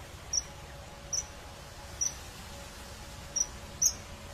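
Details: Shrill, clipped high-pitched calls from a common kingfisher hunting fish, five notes at irregular intervals, the last slightly louder and doubled, over soft background hiss.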